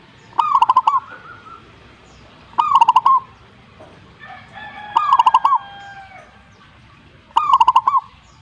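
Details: Zebra dove repeating its song every two to three seconds: four short bursts of rapid, bubbling coo notes. Between phrases, another bird gives softer whistled notes against a quiet background.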